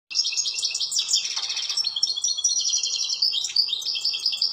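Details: European goldfinch singing outdoors in nature: a continuous run of rapid, bright twittering and tinkling trills, high-pitched and liquid, with buzzy notes mixed in and a steady low hum beneath.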